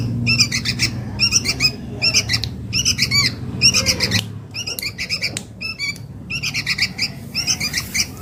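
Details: Sooty-headed bulbul chick begging for its mother, recorded as a lure call: raspy multi-note chirp bursts repeating at a steady, insistent pace, fading slightly in the second half, with low background hum.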